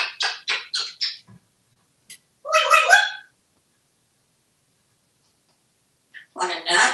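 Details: Talkative pet African grey parrot, a male hatched in 1997, kept in a home in Texas, chattering indoors; a run of four quick clipped syllables, a longer warbling phrase, then after a pause another drawn-out voiced utterance.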